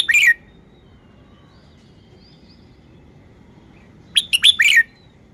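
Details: Red-whiskered bulbul kept as a cage bird, performing its song style: two rapid phrases of clipped, bouncing whistles, one at the start and one after a four-second pause, each of several notes sliding downward, over faint low hum.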